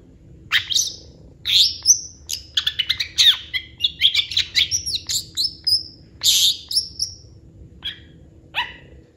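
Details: Long-tailed shrike in full, fast song crammed with varied fill-in phrases: dense runs of harsh chatters, sharp chips and high whistled slurs, tapering to a few spaced notes.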